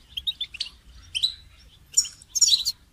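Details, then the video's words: Brief goldfinch training song: a few quick tinkling notes rising into a twittered phrase, then two dense buzzy bursts of high chirps. "goldfinch song training"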